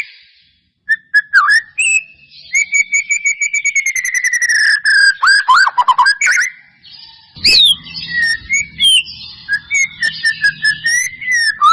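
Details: Caged white-rumped shama provoked by a lure to sing; a long series of rapid repeated whistled notes slowly falling in pitch, then varied rich whistles and twitters over a faint low hum.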